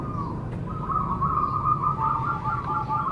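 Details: Zebra dove song used to prompt other doves into singing, heard here only as a soft, continuous rolling trill at a steady pitch over a low background hum, with no loud bursts.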